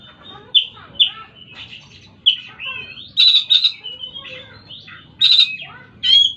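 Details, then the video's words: Varied oriental magpie-robin song: clear whistles, sliding notes and scratchy chirps delivered in quick bursts with short gaps, some phrases rising and falling, over a quiet low rumble. "burung kacer"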